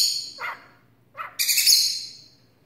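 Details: Pet starling barking after a spell of quiet: short hoarse low barks followed by a loud harsh hissing burst of high noise.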